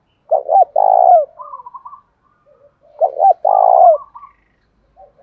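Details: Caged decoy spotted dove used to lure wild doves, singing in the 'thổ pha' voice style. It gives two full phrases about three seconds apart, each a short double hoot and a drawn-out burry coo, followed by softer trailing notes.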